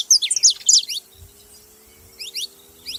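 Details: Saffron finches making noise: a quick cluster of high, bright chirps, then a near-silent pause with soft low thumps, followed by a few more chirps near the end.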